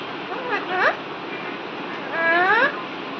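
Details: A pet talking Alexandrine parakeet from India speaking in Hindi, giving two rising, harmonic, speech-like phrases about 1.5 seconds apart over a steady background hiss.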